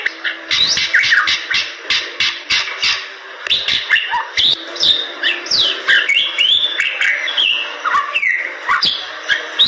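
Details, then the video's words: Gacor singing from a Bali myna: a long, varied stream of swooping whistles, buzzy rasps and crisp clicking notes, loud and continuous throughout, with a quiet low drone in the background. "Jalak Bali Gacor"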